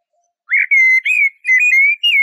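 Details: Song of a Eurasian blackbird, a run of smooth, mellow whistled notes held near one pitch with slight rises and dips, delivered in connected bursts over a couple of seconds, no other sounds heard.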